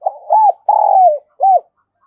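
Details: Spotted dove, a decoy bird's call used to draw in doves: an arched hoot, then a long buzzy purr sliding downward, then one more rounded hoot. Low and clear.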